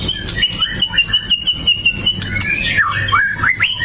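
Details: Pastol-style white-rumped shama, described as a sharp-firing fighter and used to goad other shamas into singing, recorded on a Xiaomi Note 8 Pro: a rapid repeated chipping trill on one note, then loud swooping rising whistles.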